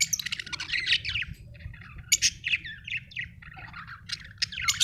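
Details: Budgies chirping: quick, scratchy chattering notes and short upward squeaks tumbling one after another, with sharp clicks at intervals above a low background rumble.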